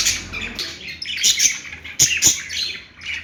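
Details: Budgerigar chirping in quick, bright bursts of rasping, twittering notes, with a couple of sharp clicks near the two-second mark.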